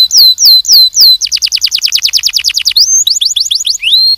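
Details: Canary sings a few clear falling whistles, then a fast rattling trill of high notes, finishing with rising and swooping whistles and a brief rapid flourish.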